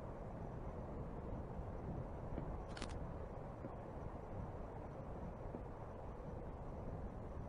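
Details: Steady low outdoor rumble with one brief sharp click near the middle, like a camera shutter, and no animal voice heard.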